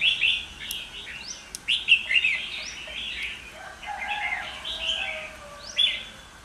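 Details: A wild-caught Red-whiskered Bulbul from Kim Bôi, Hòa Bình, caged for over two months, sings bright, chirpy warbled phrases in quick bursts, with short upward-sweeping notes between louder trills.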